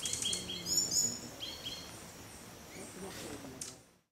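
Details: Green Thorntail at Milpe Bird Sanctuary, Ecuador, in May 2012, giving thin, very high chips and short twittering notes in a few loose bursts over a soft background hiss.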